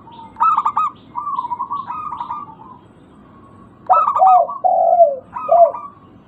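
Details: Local zebra dove used to lure birds into calling: stuttering, clipped cooing notes in a loose series, a pause, then a phrase of deeper purring coos sliding downward.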